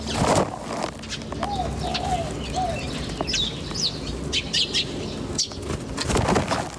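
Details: Birds chirping outdoors in nature: scattered short high chirps and a few soft, low whistled notes, mixed with wing flutters and rustling noise.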